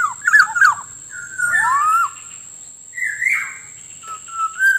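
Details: Black-naped oriole (kepodang) sound for luring wild birds and training caged birds to sing: rich fluty whistles mixed with harsh slurred swoops, several phrases in quick succession, a steady thin electronic whine throughout.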